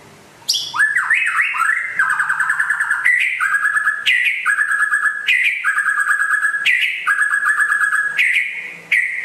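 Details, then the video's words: Rare West Aceh white-rumped shama in full, prolific song. A rapid, continuous run of rattling trills is punctuated every second or so by loud, clear whistled upslurs, all delivered with hardly a pause. "Kicau Burung Murai Asal Aceh Barat Langka Gacor Jos"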